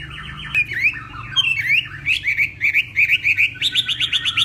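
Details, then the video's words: Hwamei from northwest Vietnam practising its song in the morning for contests: varied slurred whistles, then a string of quick zigzag notes, ending in rapid repeated chips. "Hoạ Mi Hót Đấu /hoạ mi hót sáng luyện giọng kich bổi sổ giọng chim hót hay mỗi ngày/Họa mi Tây Bắc"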